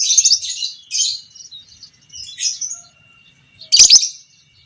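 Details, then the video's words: Lovebird, a violin pied creamino fighter, giving the long 'ngekek' chatter played as master sound to train other lovebirds: rapid high, harsh, buzzy chattering bursts, several short runs then a loud scratchy burst near the end. "Masteran Burung Lovebird Fighter Ngekek panjang - Suara Burung lovebird biola pb creamino"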